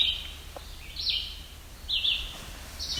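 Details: In a rocky forest along the Niagara Escarpment at Barrow Bay, a Yellow-bellied Sapsucker (Sphyrapicus varius) gives squeaky, slightly falling calls like a rubber squeeze toy, about once a second, over a faint low rumble.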